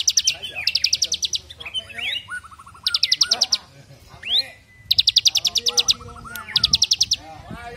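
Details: Bar-winged prinia (Prinia familiaris), a semi-active singing bird kept as a song tutor, firing rapid high machine-gun bursts of identical notes broken by short whistled and chattering phrases; faint murmurs underneath.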